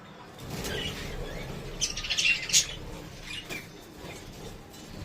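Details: A pet budgerigar, singing while playing, gives quick, high chirps and chattering notes over a soft, steady background hiss.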